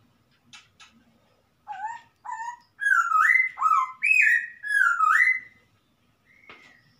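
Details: Wild masked laughingthrush from the forest singing: two short mid-pitched notes, then a run of loud, rich whistled phrases that rise and fall in steps, ending with a brief faint note.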